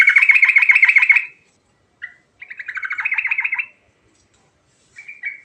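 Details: Sooty-headed bulbul in full song, used to lure silent bulbuls into singing: fast rolling warbled notes in a long burst, a single short call, a second rolling run, then a pair of brief chirps after a pause.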